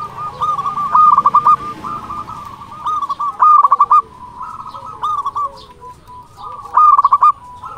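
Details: Local Indonesian zebra dove in full song, used as a model to provoke rival doves to answer: high, rolling, stuttered cooing phrases given in bursts about every two to three seconds, with softer cooing from other doves in the background.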